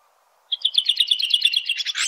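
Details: Red-throated thrush (Turdus ruficollis) singing in nature: after half a second of silence comes a rapid, even trill of repeated high chips that ends in a louder scratchy flourish.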